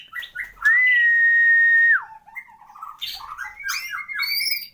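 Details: Murai batu (white-rumped shama), a champion bird with full-repertoire 'isian lengkap' singing: one long flat pure whistle held over a second, sliding down, then short low notes and a burst of quick varied chirping phrases.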